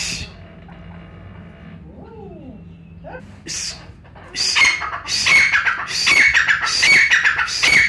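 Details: Pakistani brown francolin, recorded for hunters. Faint rustling and a couple of soft, sliding tones come first, then a run of loud, harsh, shrill call phrases starts about halfway through and repeats about once a second.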